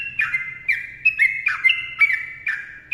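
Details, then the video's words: Short burst of sooty-headed bulbul master song: rich, bubbling whistled notes sliding downward, about six tightly linked notes over a faint low hum. "TRUCUKAN GACOR ROPEL PANJANG MBONANG SUARA RAPAT"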